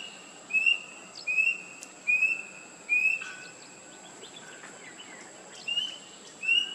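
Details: A rusty-breasted cuckoo (Cacomantis sepulcralis) gives six short, clear, slightly rising whistles, about one a second with a pause mid-series, over a steady high insect drone.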